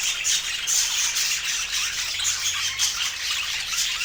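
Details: Budgerigars kept as pets fill the air with steady, hissy high-pitched chatter, overlaid by short sharp whistled squeaks that repeat irregularly throughout.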